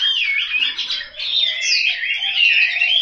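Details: Chinese hwamei kept in a cage at home in Hanoi, Vietnam, pouring out a dense, loud warble of swooping whistles and rapid trills that rise and fall without a break.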